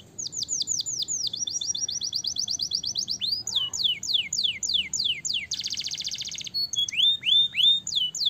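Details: Canary, a young bird in training, sings loud rapid repeated downward-sweeping whistles, fast rolling trills and a dense buzzy burst, with clean high notes and no other sounds.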